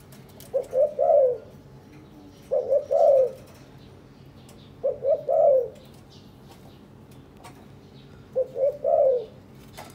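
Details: Spotted dove from a newly paired captive couple that preen each other and build a nest; four repeated coo phrases of short notes ending in a drawn-out coo, evenly spaced with light background ticks.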